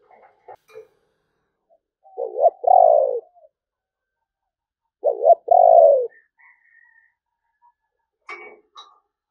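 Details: Spotted dove cooing in the sấm bầu song style, two deep, rounded coo phrases, each a short note followed by a longer throaty coo, about three seconds apart, with faint chirps from other birds at the edges.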